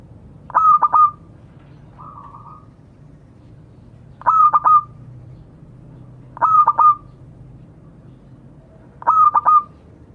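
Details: Local zebra dove, lively and vocal, calling to its companions: four cooing phrases of a few quick clipped notes running into a sustained whistled tone, spaced two to three seconds apart, with one fainter short tone between.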